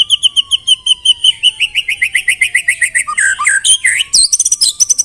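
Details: Murai batu, the white-rumped shama, singing canary and cililin imitations: a long even trill of rapid clear notes, then a tumbling run of squeaky slurred phrases and a buzzy finish.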